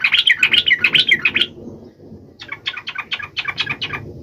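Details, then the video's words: Trucuk bird singing to get other trucuk birds to sing, a lively jumble of chattering, warbled notes, a short pause, then a second scratchy burst over a constant low background hum. "trucukan gacor FULL EMOSI TAJAM ini AMPUH MENJADIKAN agar supaya burung trucuk gacor seketika"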